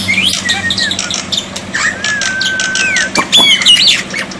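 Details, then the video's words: Black-winged myna tutor song for water therapy: rough squawks, then a long, smooth, level whistle, followed by fast chattering notes and sharp rising whistles near the end. "terapi air dan masteran burung jalak putih, jalak putih macet pasti nyaut"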